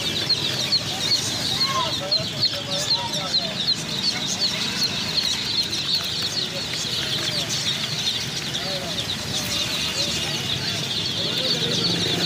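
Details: A crowd of chicks gives a steady wall of shrill, overlapping peeps, while a few lower, rounded calls stand out now and then over the busy chorus.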